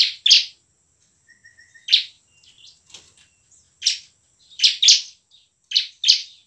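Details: Bar-winged prinia lure song for reluctant ciblek: scattered loud, buzzy chirps, some paired, with faint thin whistles and soft twitters filling the gaps.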